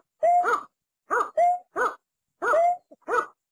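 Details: Calls of a watercock, a bird of wet rice fields and swamps: throaty, stacked, pulsed 'kok' notes mixed with occasional level whistled hoots, each roughly a second apart, against a silent background.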